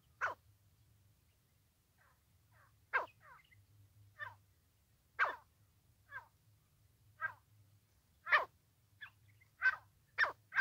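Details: Francolin voice used in trapping: loud, harsh notes spaced irregularly, with quieter notes in between, coming faster toward the end.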